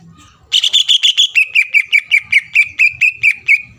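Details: Greater green leafbird song used to rile and settle rival leafbirds for contests: a buzzy rich opening, then steady clear chirps repeated about five per second, with faint low background rumble.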